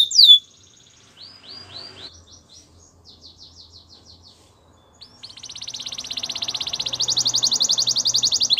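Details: Belgian canary training song: a sharp opening note, then quiet rolling phrases of short whistled notes, building into a loud, fast, buzzy trill repeated several times per second.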